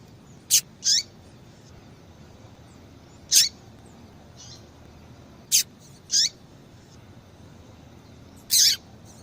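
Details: Female yellow-bellied seedeater calling a lot to excite males and stimulate their song: short, very high sharp chips and buzzy notes, single or paired, spaced irregularly every few seconds over quiet background hiss.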